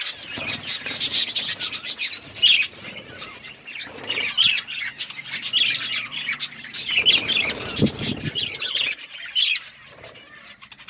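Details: Budgies chirping as they feed, steady overlapping high twitters and squeaky chirps, fading toward the end, with a soft thump midway.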